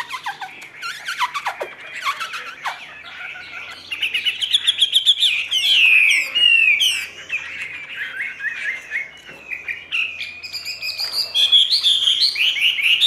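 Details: Caged Chinese hwamei, ngũ trường song style: a varied, jumbled run of chirps and falling notes that builds into louder, looping whistled phrases, with a faint low hum behind.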